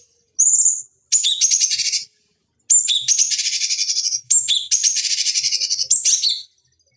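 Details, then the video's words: Cucak cungkok bulbul master recording for fighting-bird training, with a thin whistle followed by several bursts of rapid, high, rattling trills and brief silences between them. "Masteran Pancingan Cucak Cungkok Ampuh Untuk Terapi Dan Masteran Burung Petarung"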